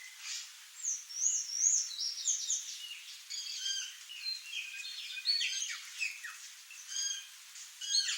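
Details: Wild curl-crested jays in Brazil give a busy run of overlapping calls: quick chirps, slurred whistles and squeaky notes, high-pitched and almost continuous, as if from several birds.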